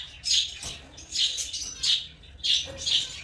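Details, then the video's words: Loud, piercing chirps from African lovebirds, four or five harsh high bursts in quick succession with brief pauses between them. "Love birds singing and chirping sounds| African love birds chirping sound"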